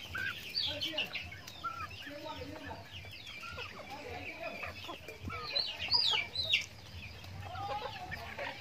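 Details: Chickens in a backyard farm eating feed, with scattered high squeaky chirps and soft mid-pitched clucks, busiest in a burst of sharp rising calls near the middle, faint voices in the background.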